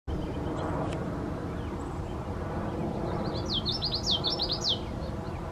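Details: Common yellowthroat singing at Union Bay Natural Area, Seattle, Washington: one brief phrase of rapid, repeated high slurred notes late on, fairly faint against strong, steady low rumbling background noise.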